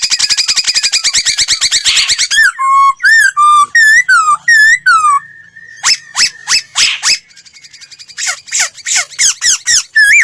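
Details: Laughingthrush singing a voice-training song: rapid rattling trill at the start, then looping whistled notes, sharp repeated chips and a closing series of quick buzzy notes.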